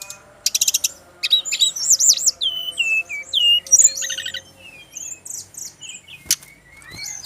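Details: Bali male Brown-chested Jungle Flycatcher in song: opening rattling buzzy bursts, then looping high whistles and downslurs, tapering into softer scattered notes with one sharp click.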